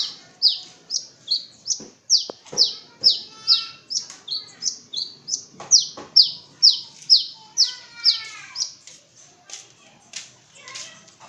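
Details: From East Java, a long-tailed shrike repeats a high, downslurred squeaky note about twice a second for many seconds, with faint buzzy notes between, then fades.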